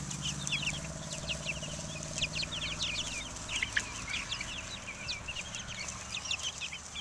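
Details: Outdoor chicks, Buff Orpingtons, Black Australorps and Americanas, recorded in 2010, calling in a busy chorus of sharp high peeps, several per second, over a low droning background.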